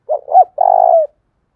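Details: Spotted dove, a decoy bird with a voice style called thổ đồng, giving its lure call to attract wild doves: two short husky cooing notes, the second rising and bending, then a long throbbing purred coo that falls at the end. Otherwise quiet.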